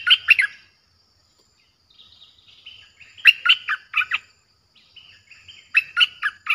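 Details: Fierce-voiced streak-eared bulbul song used as playback to attract wild birds. Three phrases of loud, rapid chirped notes are separated by quieter warbling. The first phrase has two notes, and the later phrases have four each.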